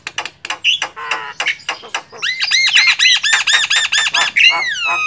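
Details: Javan myna calling in the wild: harsh scratchy notes at first, then a fast, even series of short arched whistled notes, several per second, ending in a falling whistle.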